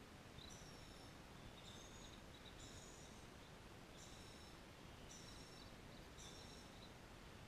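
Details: White-cheeked pintail (Anas bahamensis) ducklings at Paignton Zoo give thin, high peeps in short bursts about once a second, over a steady low rumble.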